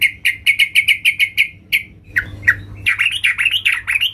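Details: Female yellow-vented bulbul calling for a male: a rapid, even series of harsh chattering notes, a brief pause, then busier rising and falling twittering notes.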